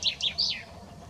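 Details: Common chaffinch (Fringilla coelebs), song.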